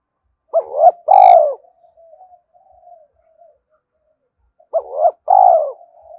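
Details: Spotted dove decoy coos for drawing in males: a two-part coo phrase, short then long and falling, repeated after about four seconds of soft murmuring.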